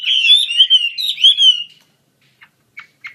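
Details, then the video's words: A Chinese hwamei pours out loud, rich whistled phrases for nearly two seconds, then gives three short, sharp notes after a pause. "KICAU HWAMEI"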